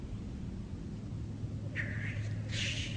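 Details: Two harsh, hissing bursts from a black grouse at a lek, the second longer and louder, half a second apart, over steady low rumbling background noise.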